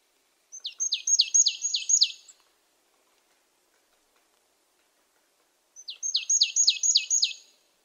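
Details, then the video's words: Marsh tit calling in two bursts about five seconds apart, each a quick string of six or seven chipping notes that start high and slide sharply downward, with quiet between. "Marsh tit 1h bird sound"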